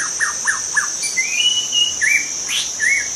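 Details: A young wild white-rumped shama gives four quick down-slurred notes, then sustained clear whistles and a rising flourish, with an unbroken shrill insect chorus in the background.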